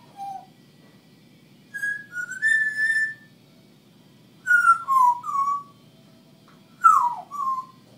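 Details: Pet female African grey parrot, one year six months old, talking to herself: three bursts of clear whistled, gliding notes, some rising and some falling, separated by short pauses over a low steady indoor hum.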